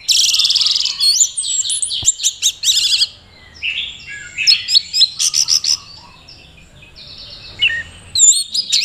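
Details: Singing orange-headed thrush kept in Mojokerto, Indonesia, in teler display meant to attract a partner. Loud rattling trill opens a string of sharp chips, warbled whistles and rapid repeated notes, with a brief quieter gap near the end.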